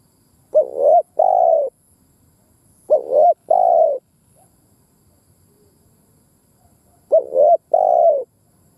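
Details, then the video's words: Spotted dove decoy calling to provoke caged birds. Three paired phrases each hold a wavering, rising-falling coo and a fuller, buzzy second coo, spaced about three seconds apart, with clean silence between them. "Tiếng Chim Cu Mồi Đất Thúc gù gáy"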